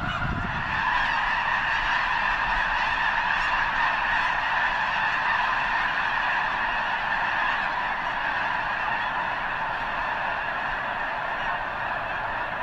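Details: Vast flock of snow geese near the eastern end of Potholes Reservoir, probably gathering before migrating north; rapid overlapping honks, several per second, form a dense continuous din, with a short low thump at the start.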